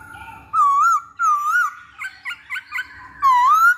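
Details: Masked laughingthrush song used as a lure: loud wavering whistles, a series of short paired notes, then a rising whistled phrase.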